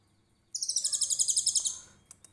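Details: Konin trotol tutor song in 'tembakan cililin' style: after a short silence, one loud, rapid, high-pitched pulsed trill of about a second and a half, fading into a few soft ticks.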